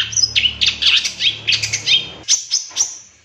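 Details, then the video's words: Cendet (long-tailed shrike) 'tembakan' master lure phrases: short, hurried bursts of scratchy, high notes roughly twice a second over a faint low hum, ending with clearer sharp whistles. "Suara Cendet No #1❗Masteran Pancingan Cendet Isian Tembakan"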